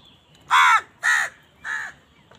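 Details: Crow squabbling over food calls three harsh caws in quick succession, each shorter and slightly softer than the last.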